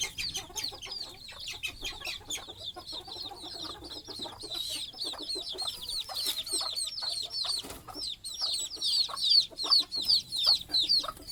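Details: Baby chickens settling to sleep at night beside their mother hen roosting on a stick over the nest, chirping nonstop: a crowded chorus of shrill down-slurred peeps, overlapping, growing louder and sharper toward the end.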